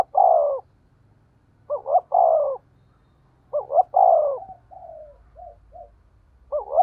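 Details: Decoy spotted dove with a 'thổ' voice giving 'thúc gù' cooing: three phrases, each a quick doubled note then a long falling coo, with soft short coos trailing between them.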